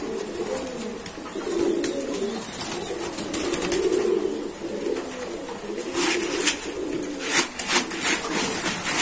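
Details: Domestic pigeons kept by a hobbyist give low, rolling coos in several spaced bouts, mixed with light tapping and rustling sounds.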